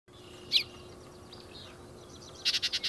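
Yellow-breasted chat: a sharp, high note, some faint slurred whistles, then a quick burst of five harsh, clipped notes at the end.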